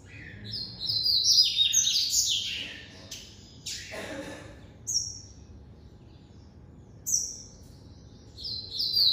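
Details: Double-collared seedeater, a white coleiro kept by an amateur breeder, singing in the classic song style: bursts of high, buzzy, rapidly changing chirped notes, then pauses broken by short sharp notes and a single descending phrase.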